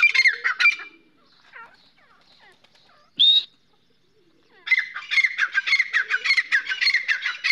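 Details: Grey francolin giving loud, harsh, squeaky calls in rapid series at the start and end. A short quiet gap with faint softer notes and one sharp squeal sits between the two bursts.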